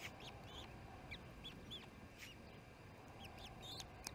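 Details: Osprey at the Charlo nest during the second evening feeding, June 18, 2018, 7pm: a run of short, high, arched whistled chirps, loosely spaced, some sliding down, over steady low background hum.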